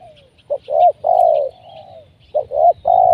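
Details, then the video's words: Captive spotted dove cooing as a decoy while wild doves are being trapped; strong repeated coos, short clipped notes leading into long level coos, one phrase ending in a drawn-out falling tail, faint high bird chirps behind. "Mikat Tekukur,, Pikat nguku terus di bawah.. BLnya nga tahan.."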